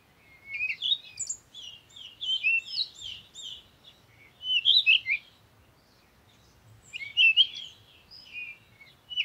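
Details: Parakeet giving rapid squeaky chatter and short whistled chirps in bunched phrases, loud bursts near the start, middle and end, separated by brief pauses.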